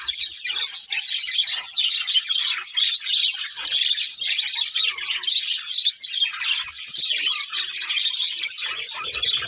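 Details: A flock of budgies keeps up lively chirping, overlapping sharp tweets, trills and raspy chatter forming a constant high-pitched wall of sound with small rhythmic surges.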